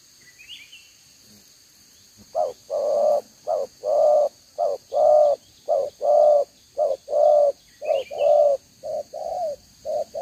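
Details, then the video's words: Spotted dove of the 'đồng gáy 1 hậu' style, double row of neck spots, recorded 11 June 2023; after two quiet seconds with a faint chirp, a long run of rhythmic paired coos, short note then longer note, about once a second. "ĐỒNG gáy 1 Hậu"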